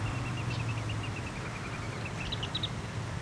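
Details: Ruddy Turnstone (Arenaria interpres), a passage migrant to tidal flats such as Yatsu, gives a rapid, even chatter of short mid-pitched notes for two seconds, ending in a few higher, sharper notes, over steady low traffic rumble.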